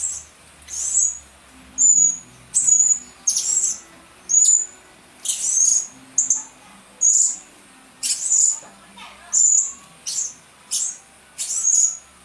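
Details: Blue-crowned hanging parrot lure call for attracting birds: a steady series of high, thin, sharp chirps repeated roughly every 0.7 seconds, each with a brief whistled tail.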